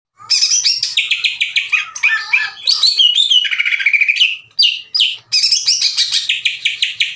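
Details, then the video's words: Caged green leafbird in full song, used to provoke rival leafbirds into answering and singing: fast, loud, continuous chattering phrases of rapid trills, whistles and mimic-like notes, shifting pitch often with brief gaps. "MASTERAN DAN PANCINGAN CUCAK IJO LAMBAT PANAS UNTUK MEMICU EMOSI LAWAN AGAR GACOR"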